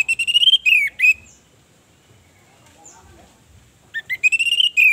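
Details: Female orange-headed thrush used as a lure to stir males' mating urge and aggression so they sing: loud, high whistled phrases with sliding notes open and close the recording, separated by about three seconds of near silence.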